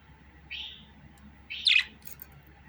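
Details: Budgerigar with one soft slurred high note followed by a louder sharp chirp and brief fainter twitters, a low hum running beneath.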